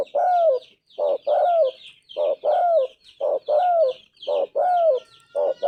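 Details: Rhythmic low cooing by a spotted dove with a clear golden voice, five two-note phrases of a brief hoot and a longer falling croon, against continuous high chattering of small birds.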